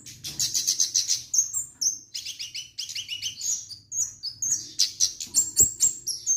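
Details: Energetic orange-headed thrush song of fast rattling trills and high squeaky whistles in rapid sequences, briefly pausing between bursts, with one dull knock near the end.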